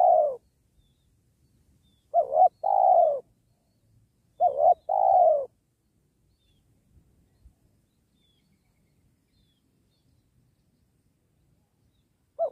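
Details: Spotted dove calling near a sacred tree to bring wild doves to the trap; a trailing coo, two full phrases of a wavering note plus a long mellow coo, then silence and a final note starting.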